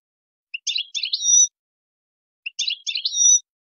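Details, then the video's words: European goldfinch, Tadmait song style played to teach young birds faultless singing: two identical short phrases about two seconds apart, each a quick twittering cluster ending in a drawn-out high whistle. "تغريد تادمايت شون هبال و قوة ما شاء الله لتحفيظ الصغار الغناء الخالي من الاخطاء"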